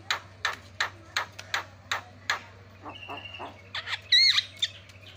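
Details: Lure sound of Javan myna used to set other mynas calling: regular loud rasping squawks, then quieter harsh notes, a brief level whistle and a sharp whistled flourish near the end, over a low steady hum.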